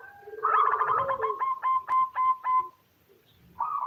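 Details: A local zebra dove hen calling to males, used as a lure for male song; a quick rolling trill of low coos slowing into spaced, evenly repeated notes, then a short coo after a pause.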